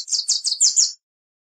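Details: Wilson's warbler giving five quick, high, slurred notes in under a second, each swept downward, ending abruptly into silence.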